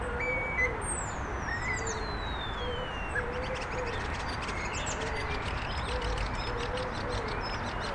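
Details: Evening starling flock resting on a branch, stretching and chatting: a long falling whistle sweeping down, short slurred notes after, then a buzzy rattling patter, with faint low hooting tones and steady rumble behind.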